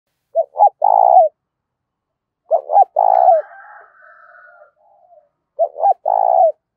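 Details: Spotted dove cooing in a loud, clear voice to stir up decoy doves: three low hollow phrases, each two quick short notes then a longer rolling coo, about every two and a half seconds, with a faint higher bird call between.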